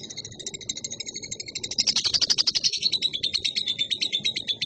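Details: Young lovebird singing persistently, a fast buzzy chatter of rapid high notes, roughly three per second, swelling louder midway and continuing as a rasping, pulsing stream.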